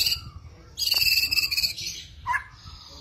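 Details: A white-rumped shama gives a kretetan-style rattle on a lure recording: a sudden dense, high, buzzing trill of rapid repeated notes for about a second, then a short lower chirp and faint hum.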